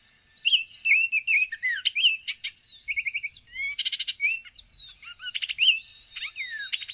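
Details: Baltimore oriole vocalizing: a continuous run of varied, rapid whistled and chattering notes, some slurred downward, others buzzy and rattling, filling the full seven seconds in a quiet setting.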